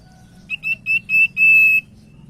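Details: Common iora song used as a lure to make other ioras sing: four short high whistled notes growing longer and running into one held, level whistle.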